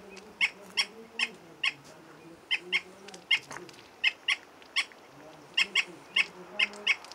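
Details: Andean flicker, locally called cargacha or pájaro pito, in Andean habitat at 3600 m near Zarcilleja hamlet, Baños del Inca, Cajamarca: sharp, short clipped notes repeated at uneven intervals, about twenty in a run, over a low wavering hum.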